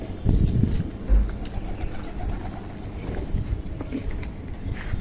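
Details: Pigeons released in the morning return to a rooftop to be fed and give low, soft cooing murmurs among a steady rumble of other low sounds.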